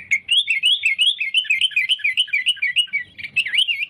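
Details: Sooty-headed bulbul singing busily to attract rivals for trapping: an unbroken chain of quick, wavering whistled phrases that rise and fall, ending in a sharper flourish.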